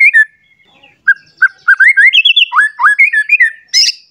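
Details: Agitated white-rumped shama searching for a rival, singing a varied run of loud, clear whistles, some rising and some falling, quickening toward the end and closing with a high, sharp note.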